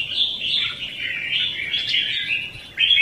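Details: Competitive 'ché' and 'xòe' singing of a red-whiskered bulbul, used as a lure for trapping. Steady, unbroken bright warbling holds at one pitch band, with a sudden louder note at the very end.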